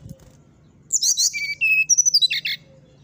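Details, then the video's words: Flute-like 'nyuling' song of a brown-chested jungle flycatcher: a sharp high opening, steady whistled mid-pitched notes, then a fast run of about eight clipped, descending chirps, with a faint low hum behind. "SATU SATU NYA SRDC NYULING BIKIN EMOSI SRDC TETANGGA,SIKATAN RIMBA DADA COKLAT"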